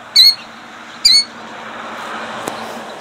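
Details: Two shrill, high-pitched cries from a killdeer guarding her eggs, Jackson, New Jersey, 2008, spaced under a second apart, with a soft click and low hum between them.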